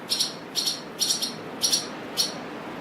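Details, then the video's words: Swallows on a windy day give five short, high, scratchy double chirps, roughly every half second, over a soft rush of wind. "Swallows squaking on a windy day"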